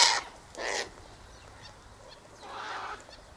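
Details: Sulphur-crested Cockatoos feeding in a flock on sunflower seeds and wheat at an eastern gate; two short rough squawks at the start, then a softer, more distant call after a pause.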